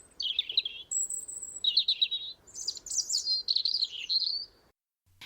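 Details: European robin (Erithacus rubecula) song, sung by both sexes: high, liquid phrases shifting between thin whistles and lower warbling trills, watery, gurgling and trickling; otherwise quiet.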